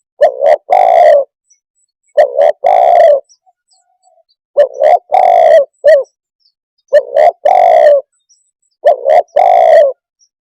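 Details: Spotted dove cooing in clear, low, hoarse phrases: two short notes, then a longer drawn-out coo, repeated four times with pauses of about a second between phrases. No other sounds are heard.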